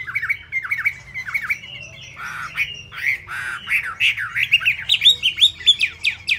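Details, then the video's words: Fast-delivered song of a Chinese hwamei with plumage not yet dry: a varied, jumbled stream of harsh squawky slurs and rising-falling whistles, getting quicker and higher toward the end. "Họa Mi tuyệt vời với tốc độ mỏ khi lông lá còn chưa khô"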